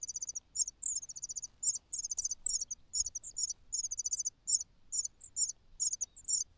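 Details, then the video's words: Hungry cuckoo chick in a nest alongside already-fed host nestlings, giving rapid, very high, short chipping and buzzing bursts, over two per second, quieter and more broken. "The natural chicks are full, while the cuckoo cries loudly out of hunger.亲生的小鸟都吃饱了，杜鹃鸟饿得吱吱叫"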